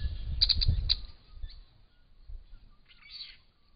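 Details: Purple-crowned lorikeets, two adults and two young just out of the nest, at a property pond with a Little Lorikeet nearby; four shrill, clipped screeches in under a second, then fainter high chatter over a low rumbling background.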